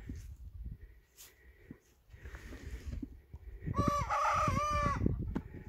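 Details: Young cockerel giving one of its first crows, a short harmonic crow near the end after rustling and low background noise, with a cluck-like note.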